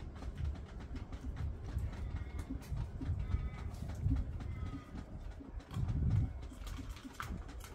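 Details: A male common bronzewing courts a female in an afternoon backyard, giving deep, low, goofy growling coos and "ooms" in uneven pulses, with faint thin whistles from other birds in the background.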